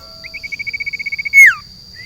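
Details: Caged sirtu set in a garden gives a quick string of about fifteen soft, evenly spaced pulsed notes that end in a loud, sweeping downward slur. A steady high hum runs behind it.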